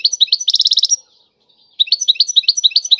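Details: A European goldfinch sings tiwawati-style, with bright twitters and a fast buzzy trill, then a pause of under a second before the rapid chirping phrases resume.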